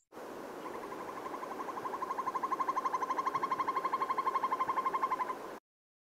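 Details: Northern Hawk Owl from Newfoundland, a call unlike a typical owl: a rapid, even trill of clipped notes, about four per second, building in loudness and running steadily for about five seconds before stopping abruptly.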